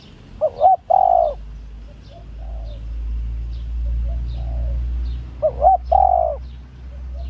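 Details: Female spotted dove giving a stimulating call for male doves: two clear phrases about five seconds apart, each a quick wavering double note then a sustained low coo, softer far coos and low hum in between.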